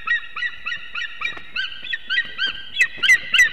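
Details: Pair of unringed adult eagles on their Ķemeri nest in Latvia, early morning of 8 March 2024, calling around arrival and mating. Quick repeated yelps, several a second, grow louder and shriller toward the end, with faint rustling behind.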